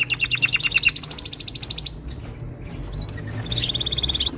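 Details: Male canaries in chorus, singing to impress: a quick run of doubled high notes merging into an even rapid trill, a pause with scattered chirps, then another steady high trill begins.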